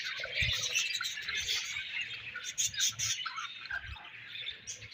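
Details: Budgerigar colony chirping: many birds chattering at once in a dense, continuous wash of high, warbling chirps and squeaks, with brief louder bursts and a faint low thumping beneath.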